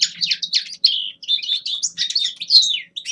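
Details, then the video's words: Common linnet, young male, singing its winter warm-up song: a string of short, high twittering motifs and slurred whistles, each lasting a fraction of a second and separated by tiny gaps. "Распевка Реполовов песня Carduelis cannabina birdsong"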